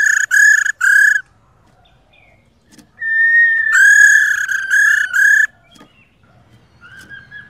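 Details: Female laughingthrush (khướu mái) giving its 'rò' call to stir a male into singing. Loud, nasal, harmonic-rich notes at a steady pitch: three short bursts, a pause, a long level note, then a run of choppy notes before a faint call.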